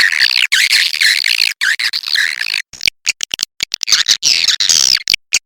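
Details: Swiftlet attraction lure: a continuous shrill twittering chatter with wavering high notes, then a run of sharp clicks and short chirps.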